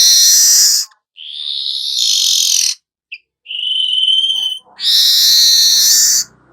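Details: Weaver giving 'nyerut' song: repeated harsh hissing buzzes of one to one and a half seconds, with a brief whistled note and a cleaner wavering whistle between them.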